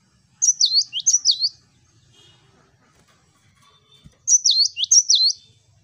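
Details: Gelatik batu (Cinereous tit) singing its 'wucit wucit' song in full voice: two bursts of quick, high, swooping whistles, each a run of paired notes about a second long, separated by almost three seconds of silence.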